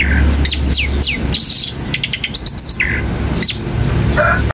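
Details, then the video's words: Long-tailed shrike song played to provoke other shrikes into answering: sharp descending whistled notes and quick high chirps with scattered pauses, over a low background hum. "Berikan suara cendet ini di jamin cendet lain akan emosi dan ikut nyaut"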